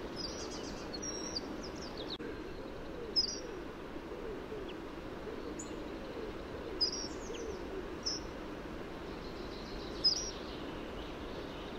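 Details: Hawfinch (Coccothraustes coccothraustes) giving sharp, very high, clipped ticks spaced a few seconds apart, with faint thin trills between them over a steady low rumble of background noise.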